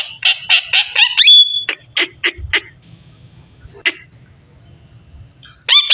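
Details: Parrot talking: a string of short, harsh, voice-like syllables in quick succession, with one pure whistled note, a pause, then a single syllable and a final loud squawk, over a low hum.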